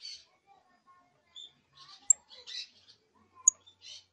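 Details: Young canary giving its first songs and trills, scratchy warbling: short buzzy bursts separated by quiet gaps, with two sharp high clicks and a few faint thin whistles.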